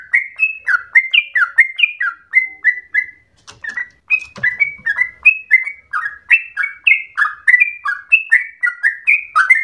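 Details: Yellow-vented bulbul in extended rapid ropel song likened to a straw-headed bulbul: quick bubbling strings of short falling whistles, a short pause with faint low rumble near the middle, then the run resumes.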